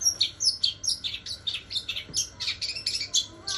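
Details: Long-tailed shrike singing a song filled with imitations of the gereja (sparrow), styled 'sambung kunti'; rapid high chirps and short tweets repeated about twice a second, bright and sparrow-like, in a quiet indoor setting.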